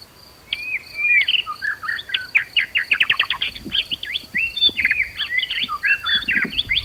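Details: A murai batu (white-rumped shama) sings agitated, challenging song meant to stir other birds to fight. Quieter whistles lead into a fast run of clipped repeated notes, then bright looping phrases. A steady high whine sits in the background.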